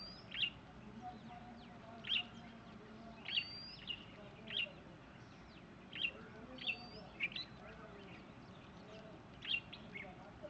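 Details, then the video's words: Red-whiskered bulbul gives short, bright chirping notes about every second, some with a quick whistled upslur, over a low steady background hum, with a grey junglefowl also calling in the recording. "Call of a Red Whiskered Bulbul"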